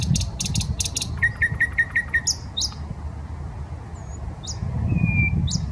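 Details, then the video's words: Nightingale at the park on the Smolenka, Saint Petersburg, delivering clicking bursts, a row of short repeated notes, then scattered high whistles and a long level whistle, with low urban rumble. "Песня соловья"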